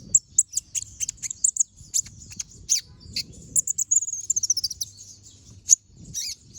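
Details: Chattering song of a brown-throated sunbird with sharp, shot-like notes, used to train other songbirds: scattered very high chips, then a dense trilled burst midway and a few final sharp notes over faint low hum.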